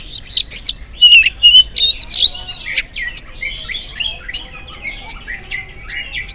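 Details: Oriental magpie-robin sings in the morning to provoke other magpie-robins to respond: loud, clear, slurred whistles and sharp chirps in a quick burst, then a softer rambling twitter of varied notes.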